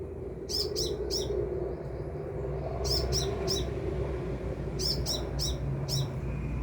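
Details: Sunbird singing from farther off: clusters of three or four high, thin, slightly downslurred chirps every couple of seconds over steady low background noise.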